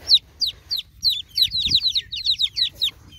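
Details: Newly hatched chicks calling for the broody mama hen, rapid high down-slurred peeps tumbling over one another above a steady low background hum.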